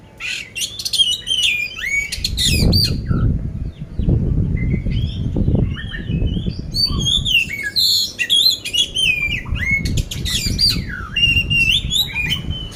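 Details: Oriental magpie-robin, a caged contest bird from Magelang, Central Java, singing loudly and ready for competition; a dense run of rapid chattering, buzzy and whistled notes with sharp upward flicks, over low thumping and rustling background noise.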